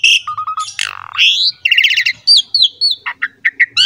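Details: Asian pied starling in full, lively song used as a model for young and wild-caught birds: short flat whistles, a harsh descending squeal, a trilled rattle, then sharp clipped notes.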